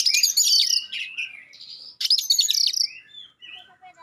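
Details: Magpie-robin delivering a sharp, clear provoking song: two bursts of high chattering, scratchy notes mixed with short whistles, separated by a brief pause, ending in faint thin whistles; quiet background.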